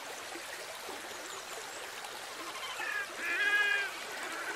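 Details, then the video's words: Red-necked grebes fighting and in courtship display; one gives a brief, nasal, harmonic wailing call of about a second, over constant splashing and rushing water. "Red-necked Grebes fighting & courtship display"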